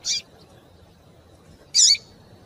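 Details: Female Double-collared seedeater calling to excite and stimulate a male: two short, bright, high chirps, one at the start and one near the end, with quiet background hiss between them.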